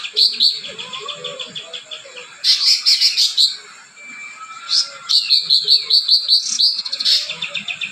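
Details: Cucak ranting singing long sequences of fast, evenly spaced high chips and trills, interspersed with a few clear sliding whistles, faint music below.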